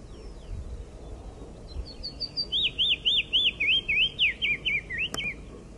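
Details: Wild Icterine warbler singing: after a few faint high notes, a loud run of about a dozen quick whistled notes, each rising and falling, repeated steadily over three seconds, with a sharp click near the end and low background rumble.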